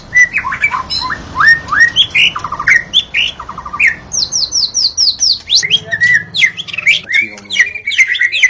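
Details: White-rumped shama singing at dawn, recording meant for luring shamas: varied phrases of clear whistles, slurred notes and quick chattering trills, ending in a fast rising series of high whistled notes, delivered continuously with no other sounds.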